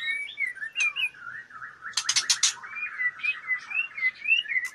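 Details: Female white-rumped shama in breeding condition, wings fluttering as it solicits mating, gives a stream of short warbled whistles over a steady high tone, broken midway by a quick burst of harsh clicking notes.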